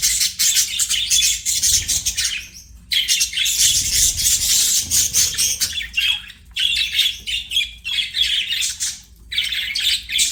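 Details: Pet budgerigar giving sustained scratchy warbling chatter, rapid buzzy notes in long runs broken by a few short pauses.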